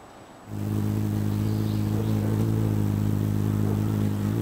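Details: A small hovering hummingbird's wings, beating about 30 times a second, make a steady, low droning hum near 60 Hz with a buzzy, layered tone, starting abruptly and holding unbroken, close to the microphone.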